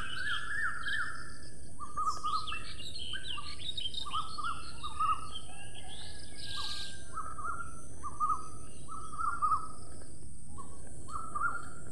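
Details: Indian ringneck parakeet kept as a pet, being fed while a person speaks to it, gives short flat nasal notes repeated about once a second, with brief higher squeaky bursts between them over a steady low rumble.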